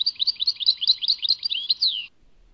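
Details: European goldfinch, Tadmait song: about two seconds of lively, bouncing twitters repeated roughly every tenth of a second, closing with a downward-slurred whistle, then silence.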